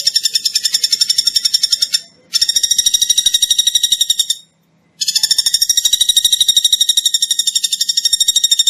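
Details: Common flameback giving harsh, buzzy rattling notes repeated about three times per second in long, steady bouts broken by two short pauses; no other sounds heard.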